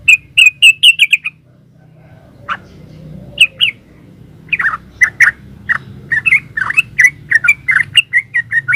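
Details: Yellow-vented bulbul, known locally as trucukan, in 'gacor ropel' song: a run of fast liquid chirps, a pause of about three seconds with one isolated note, then resumed bubbly warbling phrases that grow denser toward the end; low background hum.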